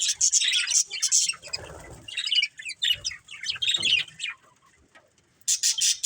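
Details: Caged breeding pair of budgerigars in a family setup, chattering in bursts of dense high warbling chirps and buzzy notes with short pauses, plus some wing flutter and rustling.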